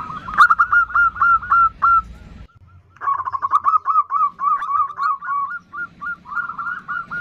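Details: Female zebra dove calling for a male with the nutut call: rapid, slightly rising hoarse coos, broken by a pause of about half a second before the series resumes at a brisk, uneven rhythm.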